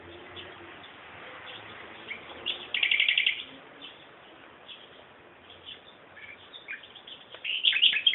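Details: Songbird giving a brief trilled burst of rapid notes, then quiet soft chirps, ending with another lively twittering phrase.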